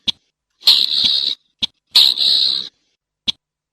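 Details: Two strident, grating rasps from a slaty-breasted rail, each under a second, framed by single sharp click notes in otherwise silent surroundings.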